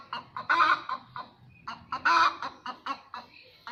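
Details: A hen making noise after laying an egg gives loud, coarse squawks broken by short clucks, rising and falling in uneven bursts.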